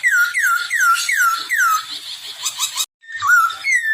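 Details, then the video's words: Chinese hwamei in breeding condition delivers five clear down-slurred whistles, spaced about a third of a second apart, followed by a harsh buzzy chatter, a brief cut, and further ringing whistles. "poksay hongkong birahi"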